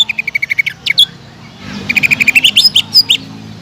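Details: Greater green leafbird in spirited song meant to provoke rivals, with a quick string of even chirps, a short gap, then another fast run ending in higher slurred whistles.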